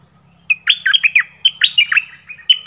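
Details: Nok dok taeng bird from Thailand delivering a varied song of many phrases: after half a second of quiet, a continuous run of clear, looping whistles sliding up and down, with short slurred notes in quick succession.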